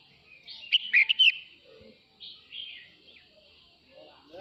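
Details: Male red-whiskered bulbul calls the flock with one loud, fluty warbled phrase of several quick notes, then softer slurred whistles and a few faint chirps.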